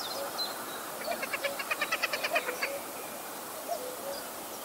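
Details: Hen harrier giving a fast chattering series of about a dozen sharp, even pulses lasting roughly a second and a half, over steady background birdsong with high chirps and low cooing notes.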